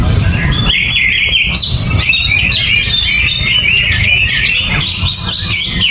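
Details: Greater green leafbird, uncovered and unfed with banana, delivers a lively run of piercing whistles, slurs and rapid chips, ending with quick descending notes, steady low hum behind.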